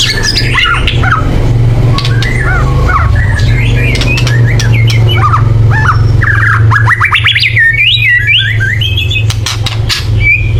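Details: White-rumped shama in loud, emotional chatter used to make birds sing: fast runs of harsh, stuttering notes and whistled slurs over a constant low hum.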